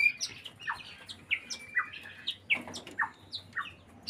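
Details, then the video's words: White-rumped shama in breeding condition, singing a lively run of varied whistled notes, some rising and some falling, with sharp clear phrases delivered quickly over about four seconds. "Ini tanda burung murai batu lagi birahi"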